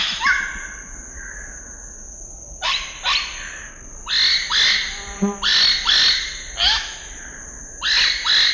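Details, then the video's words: Scarlet-rumped cacique calling: an opening pair of drawn-out whistled notes, then loud harsh burry notes in quick bursts, several in a row with short pauses, over a steady high insect-like whine. "The sound of a scarlet-rumped cacique"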